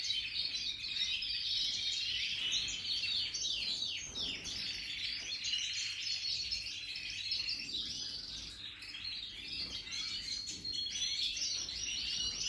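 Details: Singing European goldfinches of the Major form, new in 2023: an unbroken, crowded chorus of rapid, bright twittering and tinkling phrases with buzzy trills mixed in, steady in loudness, over a soft constant hum.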